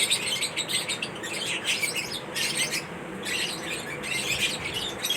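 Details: Pet lovebirds at feeding time with corn, chirping in bright high bursts separated by short lulls, roughly a burst every second or two.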